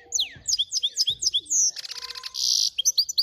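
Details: Finch × canary hybrid song made of bright, downward-slurred whistled notes in quick succession. Two short hissing, rushing noise bursts cut in midway before the chirping resumes.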